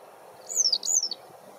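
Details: A Yellow Wagtail of the flavissima race, recorded 6 May 2022, gives two thin, high, slurred call notes in quick succession, each falling at the end, over faint low background hum.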